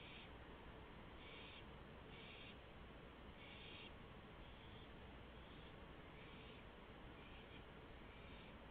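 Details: An owl fed a gopher in the small hours of 1 April 2015 gives rasping, breathy bursts in an uneven series, some louder and some softer, over constant low-pitched hum.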